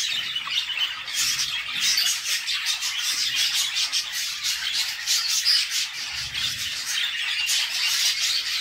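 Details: Budgerigar chicks being fed by the mother in their nest box make a long, dense, unbroken wash of harsh, rasping, high-pitched begging chatter, with soft low thumps underneath.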